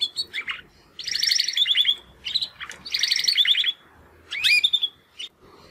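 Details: Young Timbrado canary brothers, born in the second breeding round of 2020, practise singing after their first molt; short chirps alternate with bursts of rapid trilled rolls and a sweeping upslurred note, with quiet gaps between phrases.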